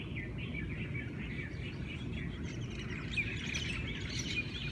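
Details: Dawn chorus of Hawaiian birds in Hawaii: wavering whistled phrases and quick chirps from a few singers, becoming busier in the second half, with a steady low rumble beneath.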